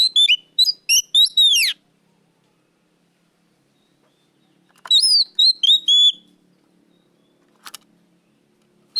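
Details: Oriental magpie-robin in loud, clear, lively song: a quick run of bright whistled notes and sharp downslurred phrases lasting under two seconds, then a long pause, then a second similar burst near the middle; faint click later.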